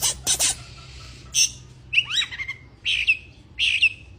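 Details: A breeding-condition Oriental magpie-robin gives two harsh scratchy notes, then buzzy swept whistles that slide down and level off, repeated roughly once a second.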